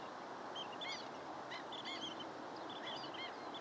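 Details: Long-billed dowitchers chattering with short, bright, high squeaks in loose groups of two or three, heard over a steady roar of background noise.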